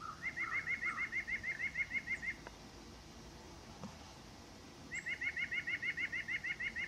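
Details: White-breasted nuthatch singing two long rapid runs of nasal, evenly spaced notes, roughly fourteen then eleven, about three per second, separated by a silent pause; a couple of softer lower notes open the first run.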